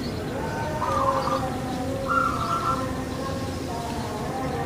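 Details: Barbary dove, the pelung strain of puter kept in Java, Indonesia, delivers long level coos with a slight rising glide, repeated in a loose series over steady low background hiss.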